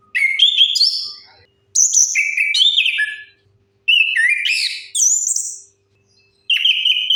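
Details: Orange-headed thrush singing as a lure for birds that have stopped singing: loud, varied phrases of bright whistles and slurred warbles, some very high, delivered in four or five bursts separated by short pauses.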